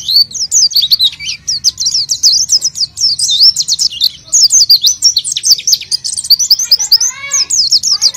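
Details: A lure recording of a vigorously singing oriental white-eye for untrained white-eyes. Bright, high twittering phrases pour out almost without break, with a few lower, fuller notes near the end.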